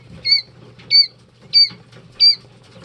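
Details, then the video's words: Four loud, piercing peeps from two- and three-day-old Jumbo White Quail chicks, each a high note with a downward hook, spaced about two-thirds of a second apart over soft scratching. "2 Day old Jumbo White Quail Chicks"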